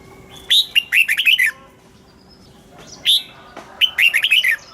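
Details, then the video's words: Caged red-whiskered bulbul giving its morning song in the double-note 'già rừng' style: two bright, fast bursts of rising and falling whistled notes, the second about two and a half seconds after the first, with a quiet pause between. "Luyện giọng cho chào mào hót sáng, ép chào mào hót âm kép già rừng hay tuyệt!"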